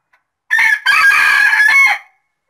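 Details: A caged bantam (ayam kate) rooster gives a short, harsh crow with a brief break near the start.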